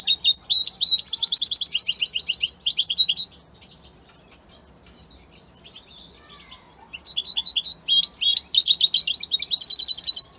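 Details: European goldfinch of the Italian type in a powerful song: rapid high twittering runs of buzzy trills and sharp chirps, a quiet pause of about four seconds, then another dense burst of bright, jangling phrases.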